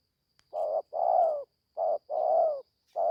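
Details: Young spotted dove in Gia Lai, Vietnam, taken to the forest for training for the first time, calling in close succession: a clipped coo, then a longer drawn-out coo that dips at the end, twice over, with a faint steady high hum behind.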